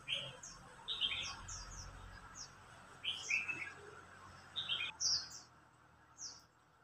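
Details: Red-whiskered bulbul singing contest, an older bird challenging a young bird; short bright whistled notes in scattered bursts over steady background hiss.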